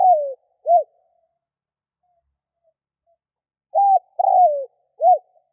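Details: Spotted dove cooing to lure wild doves. A falling note and short coo end one phrase, then after a pause comes a flat coo, a longer downward croo and a closing short coo.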